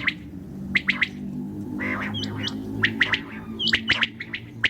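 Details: Common quail at night giving quick three-note bursts of sharp pulses, interspersed with a few higher thin chirps and a low steady hum in the background.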